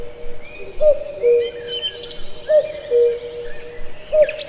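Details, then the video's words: Cuckoo in a lush forest at Pallandri, Azad Kashmir, repeating a falling two-note 'cu-coo' about every two seconds, the second note lower, with faint high chirps from other birds behind it. "Cuckoo Birdsong"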